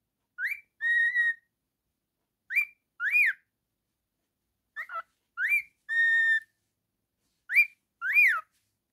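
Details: Cockatiel, a male kept as a pet, whistling phrases of a quick rising note followed by a long level whistle or an arched upslur, repeated at irregular intervals.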